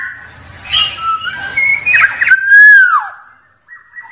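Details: A black-naped oriole whistles several quick varied notes, then one loud fluty note that rises and drops away, a short silence, and the start of another whistle, over a faint low rumble.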